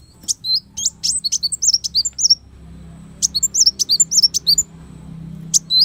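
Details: Kolibri wulung sunbird singing as tutor song for songbird keepers: two fast runs of very high, squeaky twittering notes, each note a sharp chirp with a quick rising-falling twist, separated by a brief pause, over soft low hum.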